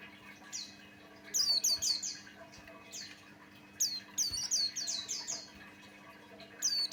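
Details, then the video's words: A Buxtoni white-eye (opior jawa) male sings a lure song to prompt other white-eyes. Two dense bursts of rapid, high, descending whistled notes come about three seconds apart, ending with a brief phrase, over steady low hum. "Suara Burung pleci Buxtoni pancingan Ampuh"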